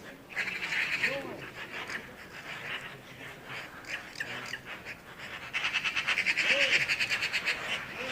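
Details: Birds chattering in Skardu, Baltistan: an uneven stretch of scattered buzzy notes, then a loud run of rapid evenly pulsed chatter in the second half, with occasional soft lower chirps.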